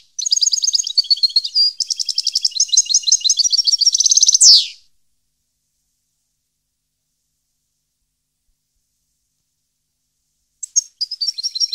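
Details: Goldfinch singing, 2015 recording: a long, rapid, jingling stream of high twittered notes and short trills that rises to a buzzy rasp, then silence before another twittering phrase starts.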